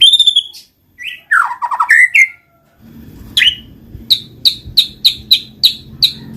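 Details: White-rumped shama song used to coax silent birds into singing: high clear whistles and a tumbling run of notes, then a low hum beneath seven evenly spaced sharp high chips.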